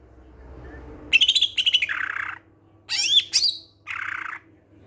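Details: Greater green leafbird song meant as a lure for others of its kind: a fast stuttering burst of high notes sliding into a raspy descending phrase, then sharp looping whistles and a final rough chattering note.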